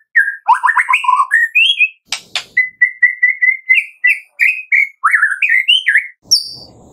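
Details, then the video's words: White-rumped shama 'tembakan' song in the afternoon, played as a lure to set another shama singing: rich varied whistled phrases, rising and falling slurs, a run of steady repeated whistles, scattered high squeaks, one harsh burst midway. "TEMBAKAN MURAI BATU Sore Hari"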